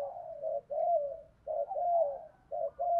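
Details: Spotted dove cooing to encourage other doves to coo: soft, continuous run of mellow coos sliding slightly downward, gently repeated about once a second over a faint low hum.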